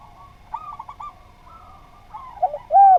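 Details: Spotted dove in a training recording meant to prompt other birds, giving a series of soft, tonal, slurred coo notes, ending in a louder drawn-out coo over a quiet background.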